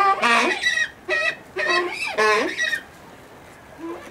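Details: Brown eared pheasant kept at a pheasant breeding farm: a series of loud, harsh, crowing squawks in quick bursts, then a pause and one fainter short call near the end.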